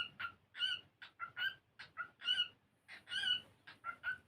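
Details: Cockatiel singing during play, a bird learning to sing and dance, delivering rhythmic, harmonic chirps and rising warbles about once a second or faster, bright overtones throughout, quiet hum beneath.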